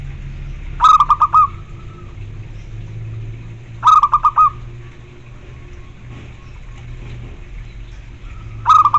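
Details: Zebra dove cooing: a short phrase of rapid stuttered notes ending in a longer drawn note, repeated three times about every three to four seconds, over a low background hum.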